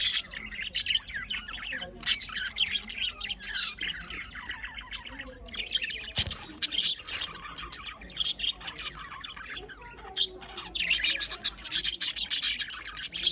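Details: Morning calls of budgerigars, 5 November 2023, Larkana, Sindh: continuous high warbling chatter and squawks from several birds, dense bursts with brief pauses and one sharp click in the middle.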